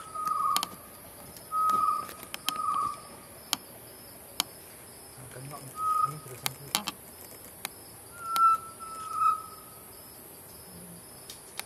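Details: Chestnut-necklaced partridge at Bukit Wang giving mellow, level whistled notes about a second apart, a few slightly drawn out, over steady high insect hiss and scattered clicks.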